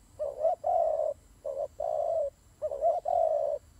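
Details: Low husky cooing from fighting turtle doves, three pairs of short then long coos about a second apart; light background hum.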